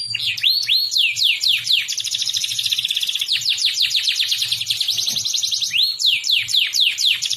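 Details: Domestic canary in full song, used as a tutor for young canaries: rapid repeated rising-and-falling whistled sweeps alternating with fast buzzy trills, continuous and bright, with a faint low hum beneath.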